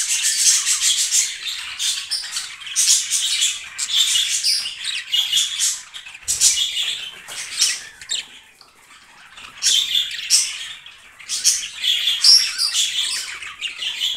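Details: A breeding pair of yellow, blue and green budgerigars chatter and sing in a continuous high, scratchy warble of rapid chirps and squawks, broken by brief pauses, with nothing else heard.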